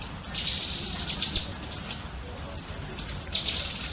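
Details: Cucak kinoi bulbul giving a fast chattering burst, used as tutoring audio for pet songbirds: high, thin clipped notes repeated about four times a second in a steady run, each note sharply accented, with no other sounds.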